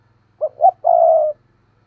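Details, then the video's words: Spotted dove cooing as a lure that makes wild doves coo in response. A single phrase: two short hollow notes, then a drawn-out steady coo lasting about half a second, with faint low hum beneath. "Cu gáy thúc gù nghe rất hắp dẫn, giọng hay bổi nghe rất tức và gáy theo"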